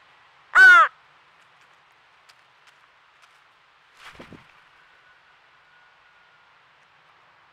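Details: Fledgling crow begging at a squirrel feeder in Nova Scotia, Canada: one harsh, rasping caw, then faint scattered clicks and rustles, and another cry starting at the end.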